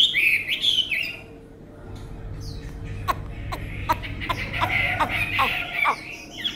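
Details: Tame Chinese hwamei with a fine voice, opening with bright whistled notes. A pause follows, then sharp clicking taps, and further short whistled phrases over a low hum.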